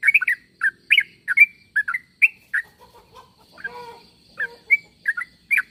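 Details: Calls of a sooty-headed bulbul used to get other bulbuls to answer: short bright chirps in loose groups, interrupted midway by a lower, softer warbling sound before the chirping resumes.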